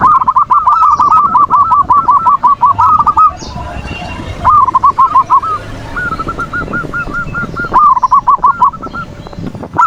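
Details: Zebra dove manggung, used to bait an opponent's emotions and spur silent doves to sing: rapid strings of bubbling, rolling coo notes in long bursts, broken by a short pause, against a low background hiss.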